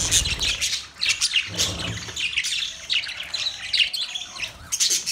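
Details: Budgerigars, mating: scratchy chattering and sharp squawks, with a thumping low sound near the start, then steady high twittering.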